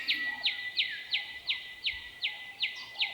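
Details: A Willie Wagtail in the Australian outback sings bright, chirpy high notes, about three each second in a steady run, singing for a mate and to establish territory; faint background hum beneath.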